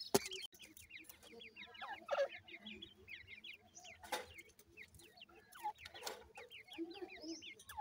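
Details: Several grey francolin chicks call for their mother in a stream of thin, falling peeps, two to three each second, with occasional thumps and rustling in the background.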